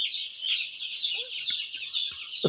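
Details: Dense, high-pitched peeping of many broiler chicks during winter brooding, steady throughout, with faint clicks and a knock at the very end.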